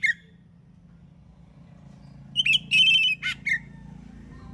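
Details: In the morning, an Oriental magpie-robin sings 'ngeplong' to draw replies from other magpie-robins: after a quiet stretch comes one short phrase of sharp whistles and a buzzy burst, over a steady low hum.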